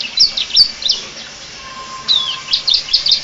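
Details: Canary singing in a Bar-winged prinia style: short high chirps and sliding notes in two loose bursts separated by about a second of quiet, with a faint steady tone underneath.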